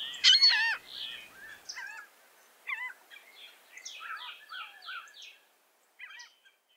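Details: Laughing gull calls: a loud, harsh burst opens, then runs of short nasal, downslurred notes follow in quick succession, several overlapping as if from more than one bird, before thinning to a few scattered notes at the end.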